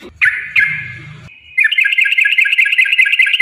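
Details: Yellow-vented bulbul in a long, rapid 'ropel' song style, played as a lure to make other bulbuls sing: two sharp note bursts with a sustained tone, a brief pause, then a fast, bubbling stream of chattering, warbled notes.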